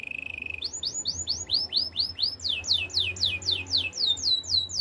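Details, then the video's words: Canary singing for training starts with a rapid low buzzy roll, then launches into long series of loud arched whistles, first rising then falling, at roughly four notes each second. "Active canary singing makes your canary sound"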